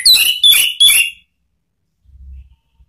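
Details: Orange-headed thrush lure song of the ngeplong and ngeriwik type for training caged birds: three loud, short, clear whistled notes in quick succession, then a faint low thump.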